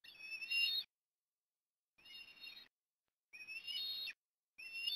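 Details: Osprey at a nest in Port Lincoln, Australia, on an October 2021 afternoon during food deliveries: bursts of high, thin whistled calls with wavering tones, each under a second, separated by short silences.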